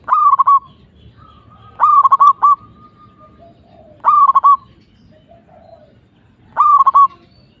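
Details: Song of a local zebra dove: four short bursts of fast, rolling cooing notes at roughly two-second intervals, with faint background noise.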